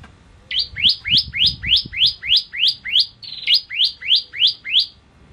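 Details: Bar-winged prinia singing vigorously on a tutor recording for training songbirds: a steady run of about fifteen sharp, rising chirped notes, roughly three per second, each sweeping upward. Faint low background rumble.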